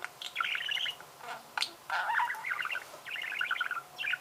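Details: Budgerigar warbling in chattering phrases of quick, evenly spaced chirps and buzzy notes, separated by short pauses and sharp clicks.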